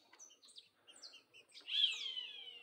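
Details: Green-winged saltator, of the Vidigal song style, singing in the wild in the bush: faint scattered chirps, then a loud sustained whistled phrase that slides gently downward and fades.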